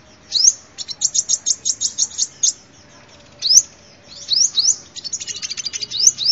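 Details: Sunbird song meant as a lure: a rhythmic run of about a dozen high ticking notes, then several sharp rising whistles mixed with rapid twittering.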